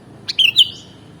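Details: Short sooty-headed bulbul (kutilang) phrase from a mastering recording. A single click is followed by two bright liquid whistled notes that trail off in a fading slur.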